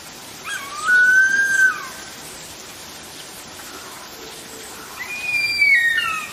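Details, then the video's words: A harpy eagle above the trees in a forest gives two long, plaintive whistled wails: the first level and slightly rising, the second sliding downward, several seconds apart, over steady forest hiss. "the harpy eagle, making a terrifying sound"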